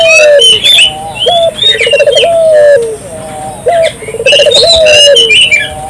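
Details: Barbary dove calling eagerly as a lure to set local doves calling: repeated low coos with a short rising lead-in, a flurry of quick pulses and a long drawn ending, amid busy chirping and whistling from other birds.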